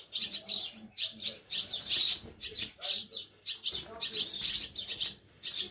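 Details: Swallow chicks that fell from their nests, hand-reared at a wildlife care station in Scharzfeld near Herzberg am Harz on 1 August 2022, during feeding; rapid bursts of thin, high twittering chirps repeated in quick clusters, with soft background murmurs.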